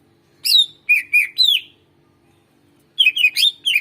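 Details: Greater green leafbird in full song, used as a lure to prompt reluctant birds to sing: a long sliding whistle, then three quick clear whistled notes, a pause, and a burst of five rapid, bouncing, high whistled phrases.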